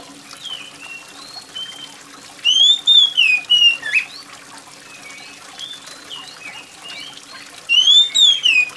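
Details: Oriental magpie-robin singing gacor-style, loud and piercing, used to stimulate quiet birds to sing. Whistled phrases rise and fall in two bursts separated by a pause, with rain and dripping water behind.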